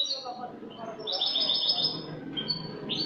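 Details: A Spanish goldfinch from last year giving cante limpio, the clean song, on 22 August 2018: a short sparkling run of rapid high notes amid steady low background noise, followed by a brief chirp.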